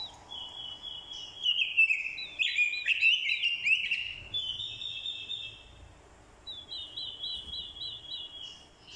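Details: Orange-headed thrush singing its fighting song as a lure, with female thrush calls played to stir a male; a long loud warbled, scratchy phrase followed after a pause by a quick run of repeated looping whistled notes.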